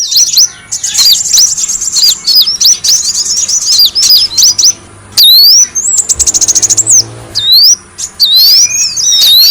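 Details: Brown-throated sunbird lure track: rapid shrill chirps at first, then long clean rising and falling whistled sweeps and a fast buzzy trill, ending in more high twitters.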